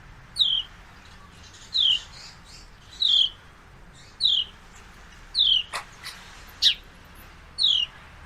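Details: Single downslurred sparrow chirps from a male looking on at two fighting females, repeated about every second and a bit, steady and sharp, with a couple of clicks between.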